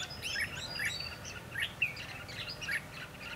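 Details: Red-whiskered bulbuls recorded during trapping on 22 December 2015. Short warbled and whistled notes repeat quickly and overlap, with some soft low noise underneath.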